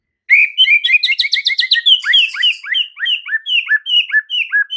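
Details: Master song of the white-rumped shama, used to train caged birds: a fast, loud series of high whistled and chattering phrases, many short notes repeated in quick regular succession.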